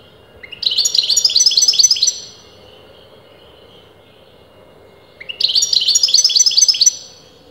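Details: European goldfinch of disputed sex, as argued by leading breeders, delivering two long jingling phrases of rapid twittered notes, each nearly two seconds, opened by a short rising note and separated by about three seconds of quiet.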